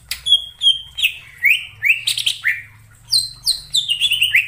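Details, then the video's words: Wild greater green leafbird singing in forest: a long pure whistle, then a string of sharp rising and falling slurred notes, finishing with high ringing chips in quick succession. "suara cucak ijo di alam liar_ijo hutan"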